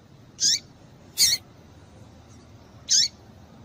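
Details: Female Double-collared Seedeater calling to excite males. Three quick, high notes come in under three seconds. The middle one is harsh and broadband, the others thin with a falling end.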